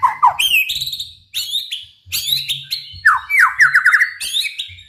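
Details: White-rumped shama singing to provoke rival shamas into song: a quick burst of loud slurred whistles and fast descending note runs, phrases separated by short gaps, faint low hum in background.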